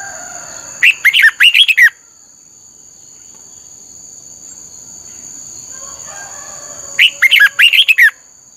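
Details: Red-whiskered bulbul singing as a training model, two bursts of rapid warbled whistles roughly six seconds apart, separated by a long quiet stretch with faint background noise and a steady high tone.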